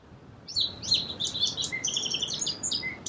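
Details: Song sparrow song of quick high notes and a rattling trill over steady background hiss, with a lower whistled note repeated twice toward the close.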